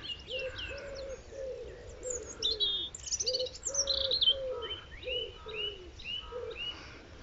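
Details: A robin sings high, thin, varied warbling phrases with quick trills, a song given through much of the year, sometimes at night, over evenly spaced low hooting notes from another bird.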